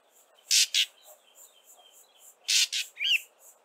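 Fork-tailed drongo song: two pairs of loud, harsh, rasping notes about two seconds apart, followed by a twanging metallic note, with faint thin whistles in between.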